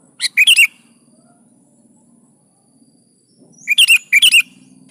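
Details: Sooty-headed bulbul in full 'gacor' voice, intended to prompt other kutilang to answer: two loud, slightly burry phrases of chattering whistled notes about three and a half seconds apart over a low hum.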